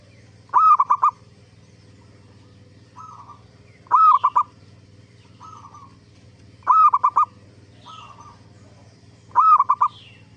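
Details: Zebra dove song used as a lure to prompt other zebra doves to answer: a low pulsed cooing phrase of quick stuttered notes repeated about every three seconds, with softer fainter cooing phrases between, over a steady low hum.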